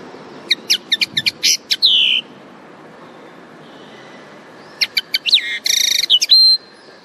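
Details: Common linnet song in two bursts: rapid series of sharp high chirps ending in a drawn-out descending whistle, a pause, then another quick chirp volley with buzzy trills and a short whistled tail.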